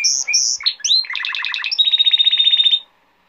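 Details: Song of a male canary for teaching young birds, opening with short whistled notes and sweeps, then a fast rattling trill that ends in an even, high repeated trill.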